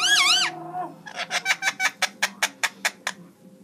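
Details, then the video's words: Indian ringneck parakeet giving a quick, wavy, rising and falling whistle, then about a dozen evenly spaced sharp clicks at an accelerating pace, indoors. "Indian ringneck singing"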